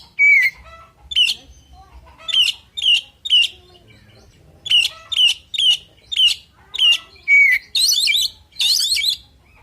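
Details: Oriental magpie-robin (kacer), male, in full fighting song meant to provoke a rival: loud, clear whistled phrases with sharp down-slurred notes, repeated about every half second to second, ending in two harsh, buzzy, scratchy bursts.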